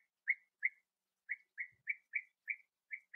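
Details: A bee-eater on a sunny 21°C day, 8 August 2017, at the last breeding burrow where young are still being fed, gives eight short, rolling notes in about three seconds at a quick but uneven pace over a quiet background.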